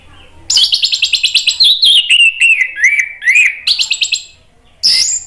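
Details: Orange-headed thrush song, played to prompt another bird to sing: a rapid run of repeated sharp chirps, then a long slurred, warbling phrase sliding lower in pitch, ending with a loud burst after a short pause.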